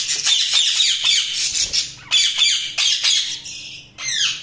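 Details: Chattering budgerigars give fast buzzy, squeaky chirps in clustered bursts separated by brief pauses, ending with a clear descending squeak.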